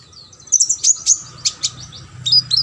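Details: Lively sunbird song from a recording meant to teach competition birds, made of quick high sharp chirps and short sweeping notes repeated in irregular bursts, with a low background hum.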